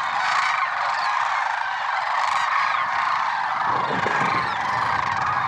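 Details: Massed lesser sandhill cranes calling at dawn on February 6, 2023, Merced National Wildlife Refuge; a thick wall of rolling honks, joined near the end by a low rumbling background noise.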